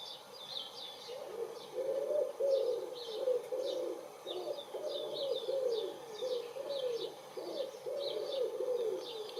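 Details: Wood pigeon cooing in a spring garden on 23 April 2019, two birds present: a long string of soft, low, muffled coos running together, while small birds twitter and chirp brightly in the background.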